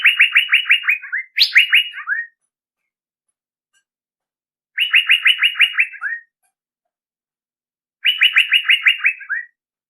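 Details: Male Asian fairy-bluebird calling as a lure: three strophes of rapid repeated chip-like notes, the first followed at once by a higher-starting phrase of descending slurs, with about two seconds of quiet between strophes.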